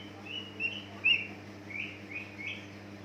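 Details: Greater green leafbird song used as a lure to prompt other leafbirds to sing: short, quiet whistled and chirping notes, some slurred upward, spaced roughly every half second over a steady low hum.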